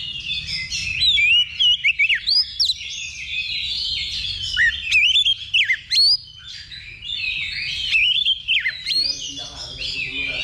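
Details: Oriental magpie-robin singing at a level 2 contest simulation for pre-competition training: strong whistled phrases with steep up-and-down slurs come in two clusters, with a continuous busy wash of other birdsong between them.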